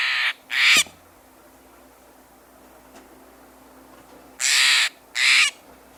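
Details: Steller's Jay giving one of its two very common calls, in playback: two pairs of loud, grating rasps, each about a third of a second long, the pairs separated by a pause of roughly three and a half seconds.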